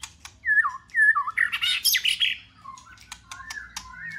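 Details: White-rumped shama song aimed at rousing a pet bird to sing: liquid downslurred whistles in pairs, a loud burst of rich varied warbling, then softer low whistles and slurred notes.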